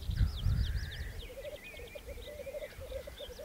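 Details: Soft, distant bubbling of black grouse at a Saaremaa spring lek, Estonia, 2014, with thin, quick chirping notes from another bird above and low thumping noise at the start.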